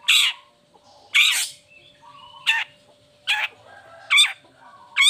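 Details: Long-tailed shrike (cendet) used as a lure to get lazy or moulting shrikes singing: six harsh, grating screeches, roughly one each second, with softer thin whistles between and a constant faint hum behind.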